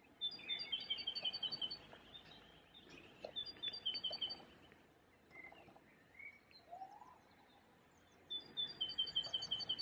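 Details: Spring song of a great tit at a Munich cemetery by Perlacher Forst, Germany, April 2020: fast repeated two-note phrases in several bursts, with other birds' softer chirps and a rising whistle between strophes.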